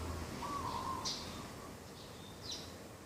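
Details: Dove heard beside a garden in the morning, 2 October 2021: one trilled coo lasting about half a second, followed by bright high chirps from other birds and a low background drone.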